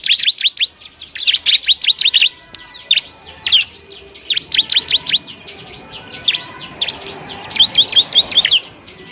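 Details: Bar-winged prinia singing as a master recording for other birds: rapid high chirps alternate with softer arched whistles, and the dense bursts return every second or two over a faint background hiss.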